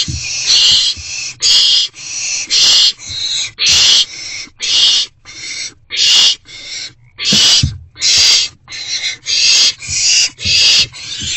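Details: Evening rodent deliveries to owls in a nest box, 29 March 2024. Rasping hiss bursts repeat steadily, about one every half second to second, loud and broadband, with occasional low bumps.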